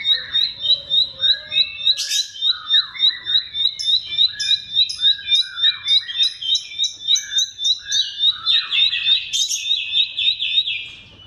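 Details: Bar-winged prinia song played as a lure to get mute birds singing: a steady rapid series of high clipped chirps about three to four per second, mixed with buzzy bursts and lower warbled phrases.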